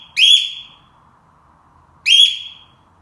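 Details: Pet cockatiel raising the alarm like a home security system: two piercing, harsh whistled shrieks about two seconds apart, each opening with a sharp upward sweep and then fading, with a quiet low hum between them.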